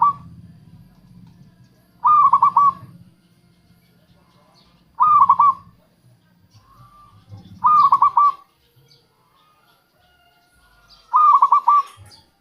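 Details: Local zebra dove phrase repeated four times at about three-second intervals, each a quick burst of rolling coo notes, with low rumbling background noise; used as a lure for wild doves.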